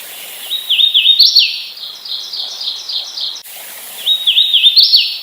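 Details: Hooded warbler sings two clear phrases of rolling, whistled slurred notes that rise and fall, accelerating into a bright emphatic ending, with a steady faint background hiss between phrases.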